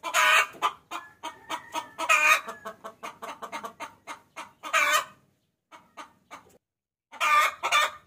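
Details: A hen calls the rooster in this lure sound: loud harsh calls mixed with quicker clucks, a brief quiet pause, then another loud burst near the end.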